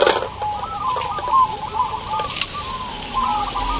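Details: Zebra dove song at a local contest in Boyolali, Central Java, Indonesia, among many competing birds: looping, warbled coo phrases roll one into the next, with a few clicks and knocks from the crowd.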